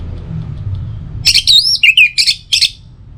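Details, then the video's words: Orange-headed thrush lure song for morning and evening, meant to set other birds singing: harsh, scratchy notes mixed with one drawn-out slurred whistle, delivered in a rapid burst over a low rumble. "Pancingan Suara ANIS MERAH Untuk Pagi dan Sore Hari Agar Burung Jadi Tambah Gacor"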